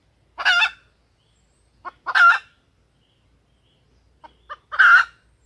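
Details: Female junglefowl lure call for bringing wild males to crow: three loud, grating squawks about two seconds apart, the later ones introduced by quick soft clucks.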